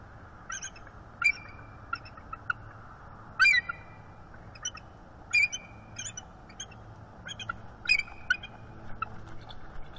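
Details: A female bald eagle calls to her mate on a shared branch, northeast Florida, December morning, inviting mating, with the male answering. A series of thin, high, piercing chirps with short trailing notes repeats irregularly over a broad hiss.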